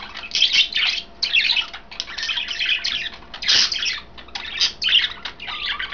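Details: Three caged pet budgies, green, blue and white, feeding on kale give loud bursts of harsh, warbling chatter and high squeaks in clusters about a second long, separated by brief gaps.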